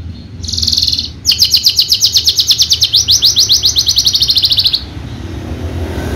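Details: Javan Horsfield's bushlark used in bird contests: a short buzzy note, then a bright, quickly pulsed high trill that runs for about three and a half seconds before stopping.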